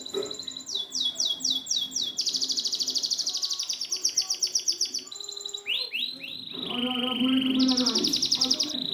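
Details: Canary song meant to coax non-singing canaries: sweeping chirps, then long rapid trills, a quick rising flourish and a held buzzy tone, over low warbling sounds in the background.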